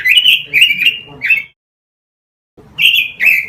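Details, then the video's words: Robin song recorded as a master lure for caged birds. Warbled whistled phrases break off into a one-second silence, then resume with two clear, level whistles. "Masteran suara burung ROBIN"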